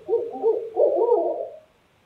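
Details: Owls at night in New Hampshire, wild, calling: a few short, deep hoots, then a longer, wavering, excited run of hooting notes that fades out, with near silence after.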